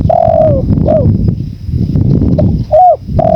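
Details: Loud spotted dove coos against a rumbling wind backdrop: a long falling coo, a shorter bent note, a quiet pause, then an upward-curved coo and the start of another long one.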